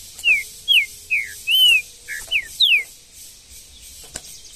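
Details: In the bush, a wild green-winged saltator gives six clear descending whistles spaced about half a second apart, each a short slurred note, against a quiet background.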